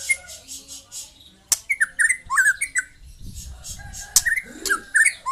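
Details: Young white-rumped shama song with rapid hooked whistles in two bursts, sharp clicks between, and some low rumbling noise in the background.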